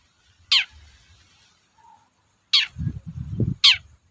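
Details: Long-tailed shrike toet-toet lure call meant to make other cendet sing: three sharp, rasping falling notes, with a short low rumbling noise between the last two.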